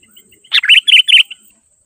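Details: Single phrase of Sooty-headed bulbul song, a recording meant to draw wild bulbuls in: a dipping lead note followed by three bright, bouncing, warbled notes in quick succession.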